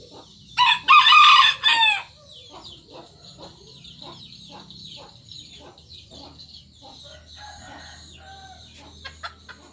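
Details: A Serama bantam rooster, described as aggressive and a frequent crower, gives one short, loud, harsh crow, followed by soft clucks and a steady high hiss.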